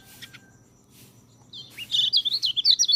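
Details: White-eye (peleci) master song used to train birds that rarely sing: after a quiet start, a loud rapid high twittering run of thin slurred notes, about three per second, over a faint low hum.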